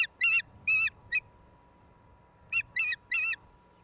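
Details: Piercing whistled chirps from an osprey at the nest, Charlo, Montana, USA, April 26, 2022, via live camera: two groups of three or four clipped, slightly rising notes, separated by a short pause, over a faint hum.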